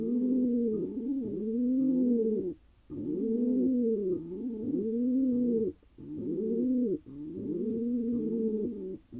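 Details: Male pigeon, wild, in Israel, courting after finding a mate: a string of humped, gurgling coos in bursts of several notes, broken by brief silences about every three seconds.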